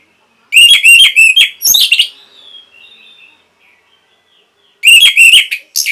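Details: Energetic song of an orange-headed thrush used for training caged birds: a quick string of loud, ringing whistles that breaks into a rougher note and a faint, thin whistle, then a pause and another rapid whistled phrase.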